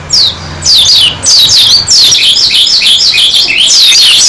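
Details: Dakun-type Oriental white-eye in persistent song: bursts of shrill, high, down-sweeping chirps in quick succession, separated by brief gaps.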